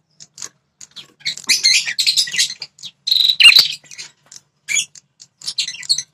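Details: Prinia call used to stir wild males into defending their territory: a busy, jumbled stream of shrill chips and twitters, with one loud steady trill near the middle and scattered sharp notes after it.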